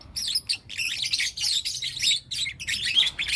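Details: Four young lutino lovebirds in morning chatter, a nearly continuous stream of scratchy, buzzy chirps and twittering notes with short breaks.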